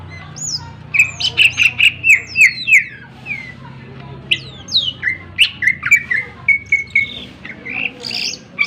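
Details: Greater green leafbird song intended to rouse other birds: rapid runs of loud, even chip notes about four per second, broken by swooping whistles and harsh bursts, then more clipped repeated notes.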